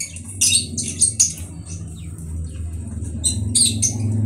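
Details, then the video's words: Conure uttering a few scratchy screeches early and again near the end, with a steady low droning hum underneath. "Conure bird"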